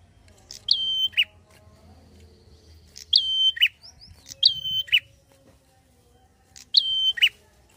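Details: Prinia singing fast 'ngalun' phrases to provoke untrained prinias: four phrases at uneven intervals of about one to three seconds, each a sharp onset, a steady whistle and a lower dropping note, with brief soft chirps between.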